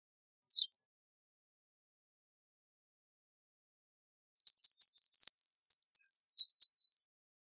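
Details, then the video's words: White wagtail song: one brief chirp, then a lively series of rapid high twittering notes building into an even trill and ending with a few quick chips. "White Wagtail Song! White Wagtail Call! White Wagtail Sound- Lavandera Blanca Canto - Motacilla Alba"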